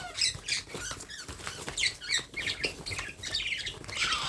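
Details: Baby parrot being fed gives a fast, continuous chatter of scratchy, wheezy high notes, several per second, without clear pauses.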